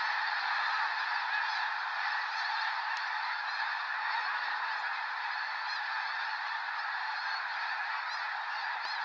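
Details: Snow geese lifting off en masse near Sacramento National Wildlife Refuge in November 2018: an unbroken wall of massed honking and yelping, with a couple of sharp clicks early on and near the end.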